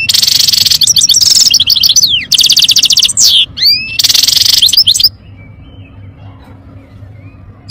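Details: European goldfinch singing loudly and fast: dense tinkling trills, buzzy rattles and sweeping whistled notes in quick bursts for about five seconds, then silence.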